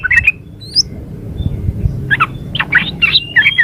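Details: Yellow-vented bulbul female calling to the male: short chattery bursts open the clip, then a quiet gap with a high thin note, followed by a denser run of harsh chirps and a faint whistle.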